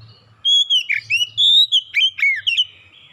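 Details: Oriental magpie-robin singing in a lure recording meant to set birds singing, with a rapid run of sweet whistled notes that swoop up and down, some sharp upward flicks, and a faint low hum beneath.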